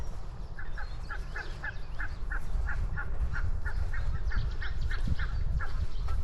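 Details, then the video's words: Geese on grassland repeating short, clipped honks at a quick, fairly even pace, about three a second, over a steady low rumble of wind and movement. "Grassland Walk with Goose Sounds"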